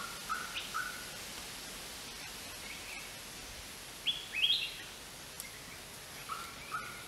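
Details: Greater racket-tailed drongo: short mid-pitched whistles in pairs at the start and end, and in between a louder burst of sharp, stepped high notes, against a steady background hiss.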